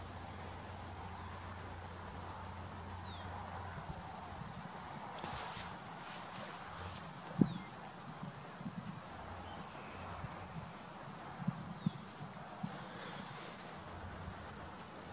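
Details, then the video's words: Adult female bald eagle, perched on a branch near her eaglets at the edge of a field, sounding off at a red-tailed hawk flying by: three thin, high, down-slurred notes about four to five seconds apart, over low rumble, rustling and scattered clicks. "Bald Eagle Squawking at Red Tail Hawk!"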